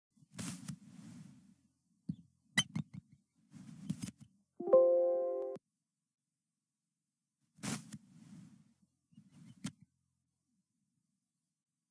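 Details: Short bursts of low rumbling with sharp clicks, a brief steady electronic tone in the middle, then silence.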